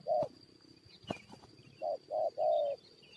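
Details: Spotted dove coos while a decoy draws wild birds into a fight: a lone short low coo, a sharp knock, then three hollow coos in close succession, the last drawn out, over quiet background noise.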